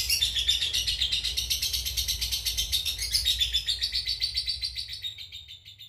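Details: Cobalt mangsi lovebird in a long ngekek chatter for training other birds: fast, buzzy high rattle that drifts slowly downward and trails off quietly at the end.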